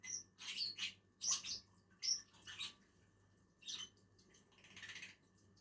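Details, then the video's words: A pair of lovebirds feeding on a tree: shrill, scratchy chirps in quick irregular clusters, with a low background hum throughout. "two inseparable Agapornis eating on a tree"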